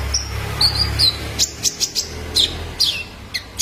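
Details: Young male kolibri ninja calls for training caged birds: thin high whistled notes, then rapid clipped chirps about two to three per second, over a faint low background hum.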